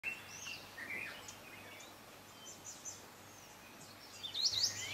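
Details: White-eyed Slaty Flycatcher (Melaenornis fischeri toruensis) at Kibuye, Rwanda, in March 2013: faint scattered chirps, then a quick burst of high, thin squeaky notes near the end, over a low steady hum.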